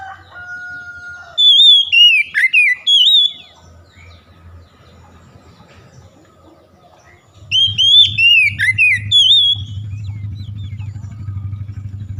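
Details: Oriental magpie-robin song used to rouse a reluctant singer: two bursts of rapid, sharp whistled notes with slides and trills, the second over a low droning hum that continues afterwards.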